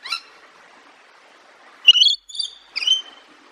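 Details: Parrot chirping: a brief harsh burst, a pause, then three loud, clear, ringing chirps in quick succession, each bending up and down in pitch, over a faint steady hiss.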